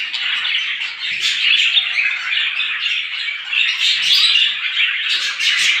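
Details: Many small birds in the morning, a dense, continuous chorus of overlapping high chirps and twitters with brief squawky bursts, no pauses throughout.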